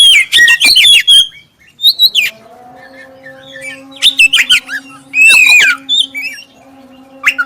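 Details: Oriental magpie-robin of the black-breasted form singing a clear prompting song to set other magpie-robins singing; loud clusters of quick whistles and harsh chirps come in bursts between pauses, over a steady low electrical hum.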